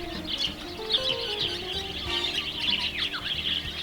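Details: A small group of woodswallows in wild continental Australia gives busy, overlapping high chirps and short yapping notes, likened to yapping miniature poodles, with steady low tonal music underneath.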